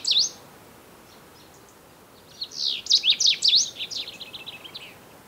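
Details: Pre-dawn chorus of Common bulbuls, loud and raucous, in a garden in Morocco's Sous Valley. One sharp slurred note opens, then after a pause a rapid run of rising and falling whistled chirps that gradually fades away.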